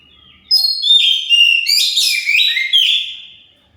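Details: Oriental magpie-robin song used as a lure for other birds to answer: loud, clear whistled notes with sliding pitch and bursts of rapid warbling trills, repeated in quick phrases over about three seconds.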